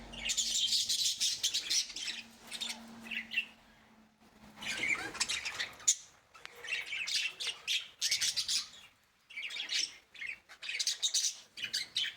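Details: Several budgerigars in an aviary chatter in bursts of scratchy, high warbles and squawks, calling over one another.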